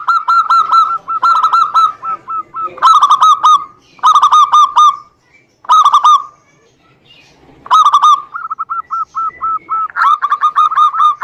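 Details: Chorus of zebra doves meant to lure silent birds into song: runs of hooked, bubbling coos, alternating between singers, including a slower series of evenly spaced single notes.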